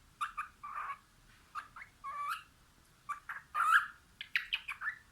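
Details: Cockatiel singing while looking out a window: a string of short whistled notes and chirps, some rising, in uneven bursts over a quiet indoor background.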